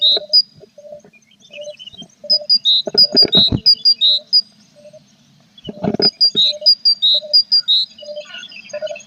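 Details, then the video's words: Tits in a nest box in April with a parent and young; short high chirps repeat in rapid runs, broken by bursts of scratching and shuffling inside the box. "Nichoir des mésanges du 21 avril"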